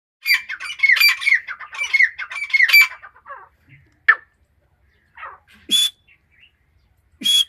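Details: Female grey francolin, described as Iranian, giving a run of harsh, ringing squawked phrases repeated quickly for about three seconds, followed by scattered sharp clicks and short bursts.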